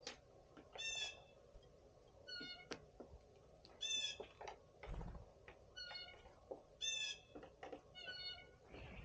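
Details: Three blue jays among a flock of birds on a spring Sunday morning: harsh, buzzy, jeer-like calls with layered overtones, roughly every three seconds, mixed with shorter chirps from other birds and a low thump.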